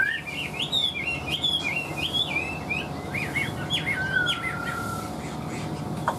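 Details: Caged Chinese hwamei, kept in a cage for over two years, singing: a continuous run of varied clear whistled phrases, rising and falling slurs, some repeated in quick sequences, ending in a long descending whistle; faint background hum.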